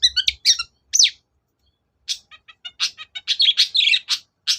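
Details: Long-tailed shrike lure song to rouse reluctant birds: a varied, chattering medley of quick chirps, rising and falling whistles, and buzzy trills in rapid bursts, with a brief pause midway.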